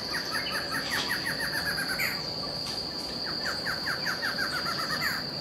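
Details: Backyard in Itupeva, São Paulo, Brazil, visited by a barred antshrike pair. Two rapid rattling runs of falling notes, each speeding up toward the end, sit under a continuous high-pitched insect hum.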